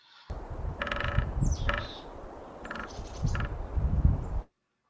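A sapsucker drums in short, uneven bursts of rapid taps, trailing off irregularly. A Mountain Chickadee whistles a falling note in the background over low rumbling noise.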